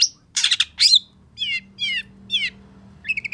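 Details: Long-tailed shrike reacting to a rival: two harsh, buzzy bursts, then three descending warbled trills spaced about half a second apart, and a final quick stutter of high notes.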